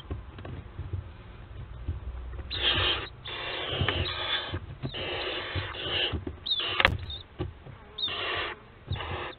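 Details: Barn owls at Théding, France, 4 July 2022, from a nest webcam family: long, rasping hisses run together in extended bursts, with short gaps, a brief sharp click, and a low background rumble.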